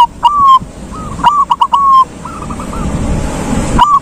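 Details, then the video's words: Silver zebra dove giving its long ngalung song: repeated clear cooing phrases of short clipped notes and sustained coos. A fainter dove replies midway over light rumbling noise. "Perkutut silver jos suara ngalung bikin yg malas jdi ikut nyaut"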